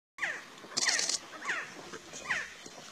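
Resplendent Quetzal giving a series of mellow, downslurred whistled notes, roughly one every 0.7 seconds, with a brief high hiss partway through.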